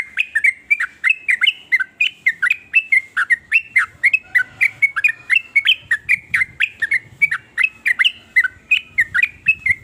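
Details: Sooty-headed bulbul (trucuk) giving its varied song, claimed to spur other bulbuls into singing; continuous run of quick bubbly whistled notes, each sliding down then up, packed closely for the whole stretch.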